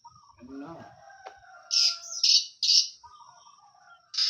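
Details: Oriental magpie-robin giving four loud, harsh, raspy bursts in quick succession after some faint low chatter, with a steady thin high whine running underneath throughout.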